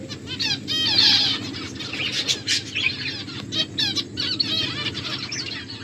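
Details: Finches eating and calling almost nonstop, a busy chorus of rapid, upslurred high chirps and twitters, loudest near the start, with a low hum beneath.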